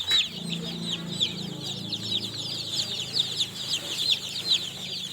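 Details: Newly hatched chicks peeping nonstop: a dense chorus of thin, high, downward-slurred cheeps from several birds overlapping, with a faint low murmur at the start.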